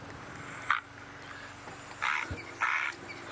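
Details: Woolly-necked stork giving three short, harsh, rasping calls: one brief, then a pair close together about a second later, over quiet background hiss; reference recording played during an African bush sunset safari drive.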